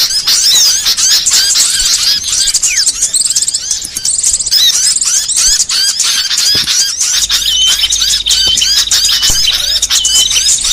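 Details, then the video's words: Varied small-bird song for lure and songbird training: a continuous chatter of shrill squeaks, thin upslurred whistles and rapid twittering trills, with faint low clicks. "MASTERAN BURCIL VARIASI"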